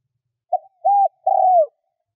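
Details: Spotted dove used to lure wild birds, cooing: a short soft note, a level hoot and a long gently descending coo, the phrase cut before its closing note, with silence around it.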